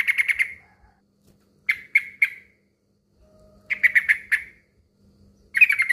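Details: Male trucukan, or yellow-vented bulbul, calling to a rival in short clusters of three to five harsh chattering notes, separated by quiet gaps of about a second.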